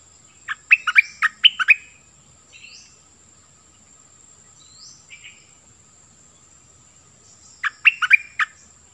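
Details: Cream-vented bulbul kept as a decoy bird, singing two bursts of quick chattering, bubbly notes about six seconds apart, with faint short whistles between them and a steady thin high whine throughout.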